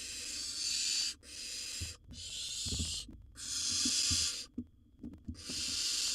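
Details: Rough wheezing hisses, each close to a second long and broken by brief silences, from a wild barn owl nestling in a monitored nest box after a sibling went for its bird prey; occasional scraping thuds.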